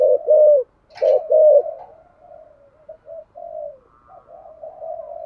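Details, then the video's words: Spotted dove cooing in the 'giọng thổ' voice to prompt other doves; a few loud, full coos at the start with a sharp click, then softer, trailing low coo notes. "cu gáy thúc gù giọng thổ hay và chuẩn nhất 2023/ tiếng chim cu gáy kích bổi"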